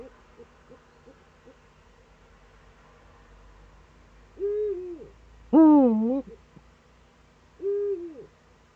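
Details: Eurasian eagle-owl calling in the Eifel, Germany, morning of 26 September 2013: a softer call, then a louder, richer harsh call, then another softer one, roughly 1.5 seconds apart, over low hum.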